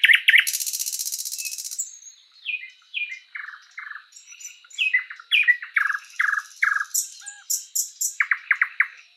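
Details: Thrush nightingale, or sprosser, in song in a spring forest: opens with a dry buzzing rattle, then a string of descending whistled chirps and sharp clicking notes in rhythmic groups.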